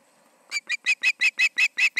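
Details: At the Charlo osprey nest in the evening of 20 August 2019, 7pm, an osprey breaks into fast, loud, piercing chirps, roughly four to five per second, after a low hum.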